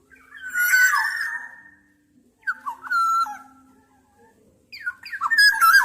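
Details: Black-naped oriole giving three fluty whistled phrases spaced about two seconds apart, each a mix of held and quickly slurred mellow notes, with a faint steady low hum beneath.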